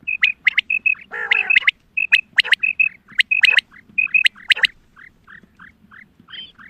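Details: Hunting lure call of a female quail: quick high clipped notes and sharp doubled strokes, a harsh broad squawk early on, then softer falling notes trailing off; faint low background hum.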